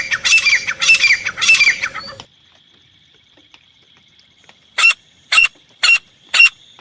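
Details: Grey francolin in a hunter's call for luring and catching the birds: a burst of loud, harsh, rasping squawks, then a pause with a steady high whine, then four short separate squawks about half a second apart.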